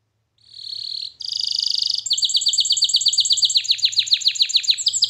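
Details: Canary song for training, beginning with a fine trill, then a loud buzzy roll and a long series of fast, regular descending chip notes, with a faint low hum beneath.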